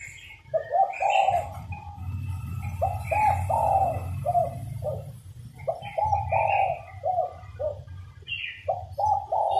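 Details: Spotted dove, a female calling to stimulate males to sing: repeated low hoarse coos in short phrases, with overlapping coos suggesting several birds, faint higher chirps, and a steady low rumble beneath.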